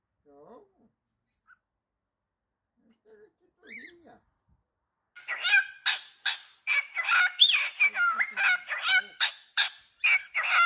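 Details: Pet cockatiels singing. A few faint, scattered low notes open the clip, then bright, dense chattering and whistling starts about halfway through: rapid buzzy and rising notes packed closely together, about two to three per second, lasting to the end.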